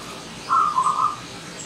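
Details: A wild zebra dove visitor gives one clear, warbled, gently wavering coo phrase lasting about half a second, over quiet background.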